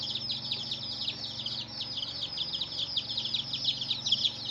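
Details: Baby chicks of a domestic hen give a busy stream of sharp, high downslurred peeps, several birds calling together without pause over a quiet low drone.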